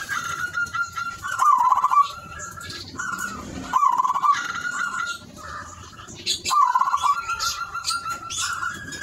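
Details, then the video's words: Zebra dove of the silver variety in full song, three phrases each opening with a drawn-out whistled tone that slides into a fast, bubbling trill, spaced about two to three seconds apart over steady background chatter and noise. "perkutut silver gacor"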